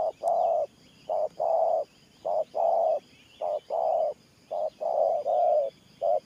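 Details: Cooing spotted dove, Thổ Pha gù style, giving a steady run of low paired coos, each a brief note followed by a drawn-out one, roughly five pairs, with soft distant twittering in the background.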